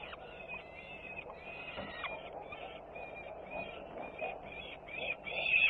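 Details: Peregrine falcons at Włocławec, Poland, on 3 June 2010, around feeding time as a sister returns noisily: harsh, drawn-out wailing calls in overlapping series against a steady background hum.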